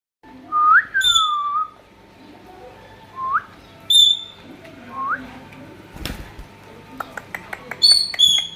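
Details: Indian ringneck parakeet, a pet talking parrot, giving clear whistled notes: a rising-then-falling slur, short upward whistles and sharp high harmonic-rich calls, mixed with quick clicks and taps near the end.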